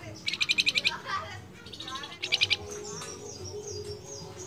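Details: Flamboyan bird calling its female in two bursts of rapid buzzy notes, six then four, separated by a pause filled with mixed chatter and thin whistles from other birds.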